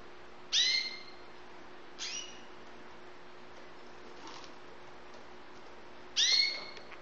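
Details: Three loud, ringing canary notes from young white Syrian birds in Saudi Arabia, widely spaced with a long quiet gap, each opening with a rising sweep and holding a bright tone, with faint scratching between.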